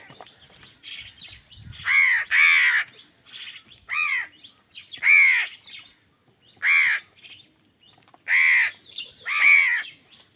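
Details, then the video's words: Crows squabbling with wild birds for food: a busy series of harsh caws, some in quick pairs, about seven bursts in ten seconds, with softer squawks and chirps mixed in. "Angry kawa ki awaaz"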